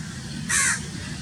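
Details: House crow, also called grey-necked crow, recorded in Pakistan: a single harsh, hoarse caw lasting about a third of a second over a steady low background rumble.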